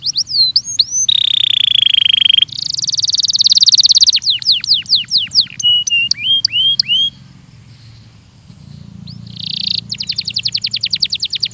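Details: Belgian canary training song, with sharp whistled slurs, a buzzy tone, a dense rattle, drooping whistles, a quiet gap, then another buzz and a fast trill of upswept notes.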